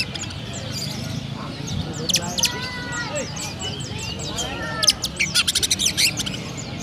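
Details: Caged Oriental magpie-robin from Kendal Rejo, Petarukan, Pemalang, Central Java, Indonesia, singing in the sparrow-like gereja style: faint slurred whistles give way to bursts of sharp, rapid chirps late on, over a low background rumble.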